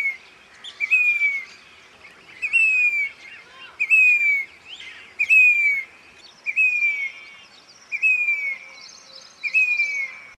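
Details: A Grey-bellied cuckoo in Rajasthan repeats its plaintive, high "piteeer" whistle, sliding downward about every one and a half seconds, with faint chatter from other birds behind.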